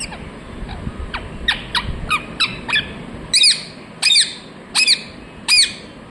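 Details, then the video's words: Talking parrot, said to be saying 'mithu mithu'. Thin, falling squeaks repeat about once every half second, then give way to four louder, ringing, harmonic squawks spaced about 0.7 seconds apart over a low background hum. "मिट्ठू की प्यारी बातें #🦜💞Cute parrot #Voice #Parrot talking mithu mithu"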